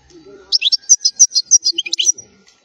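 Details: Goldfinch song meant as a tutor recording for young birds: a quick, even string of about a dozen bright, high chirping notes over two seconds, liquid and twittering, with a soft low hum in the background.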